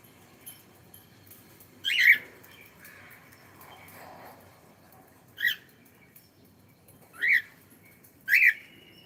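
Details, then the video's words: Cockatiel producing four sharp, raspy contact squawks spaced one to three seconds apart, each brief and loud, with near silence between them. "cute Cockatiel sound"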